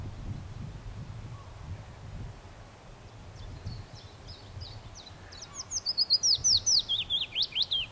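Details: Willow warbler singing: faint thin notes build into a clearer cascade of about ten slurred whistles that drift downward in pitch near the end, over a low rumbling background.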